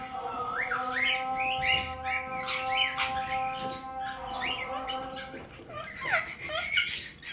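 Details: Pet male cockatiels, sibling birds, sit in sunlight with their first chicks. Quick rising chirps and squawky notes tumble over one another throughout, backed by a steady tonal hum that stops after about five seconds.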